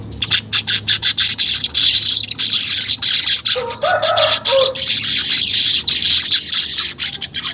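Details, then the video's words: Unedited weaver chatter meant to get caged birds singing fast: choppy high buzzing pulses throughout, with a lower warbling phrase in the middle. "pancingan manyar bahan agar cepat gacor"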